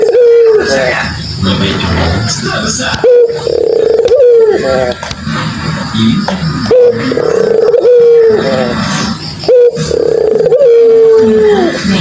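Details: Dove call used as a lure to get silent doves to start calling again; a low drawn-out cooing note, dipping at the end, repeats about every three seconds over a busy mix of other sounds.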